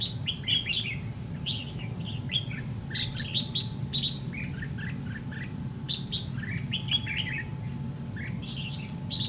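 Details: White-cheeked Red-whiskered bulbul answering a caged decoy during trap fighting: a busy run of rapid, chirpy warbled notes and slurred whistles, fairly continuous, over a low steady rumble.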